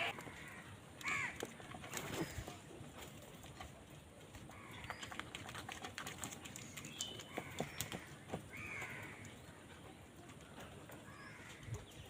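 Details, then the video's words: Crows fighting over food give a few scattered harsh caws over a steady rustling, clicking background noise. "কাকের ডাক Crow Sound Crow ki Awaz Loudly | Crow bird Fight for Food"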